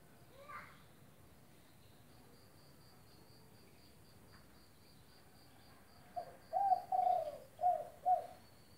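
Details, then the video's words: Spotted dove (tekukur) in good calling form, recorded to train quiet birds: a long stretch of faint, steady, high insect pulses, then a low cooing phrase of about five soft notes near the end. "Derkuku gacor buat masteran tekukur macet bunyi"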